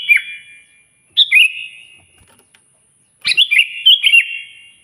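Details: Sooty-headed bulbul singing loudly, used to call and provoke a rival: short bursts of liquid, bubbling whistled notes, one brief phrase, a pause, then a longer warbling phrase near the end, with faint high hiss.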